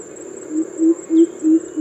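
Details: A Greater Coucal (crow pheasant) on rooftop gives its familiar coop-coop call: deep, hollow booming notes, about five in a row at roughly three per second, against a faint steady high-pitched hiss.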